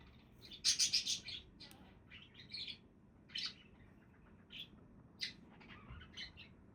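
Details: Budgerigars calling in a relaxed setting: bright, scratchy chirps and warbles high in pitch, with a loud burst of rapid chattering near the start followed by scattered short squeaky notes over a low background hum.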